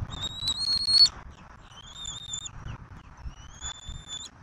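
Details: Bald eaglet at a Southwest Florida nest while parents deliver turtles for feeding, March 2024. Three drawn-out piping whistles, the first loudest and shaky, the later two softer and level, with quiet rustling between.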